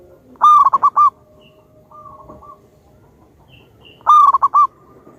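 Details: Zebra dove (local wild-type perkutut) used as a loud lure singer. Two loud bursts of quick bubbling coo notes come about three and a half seconds apart, with a softer single coo between them.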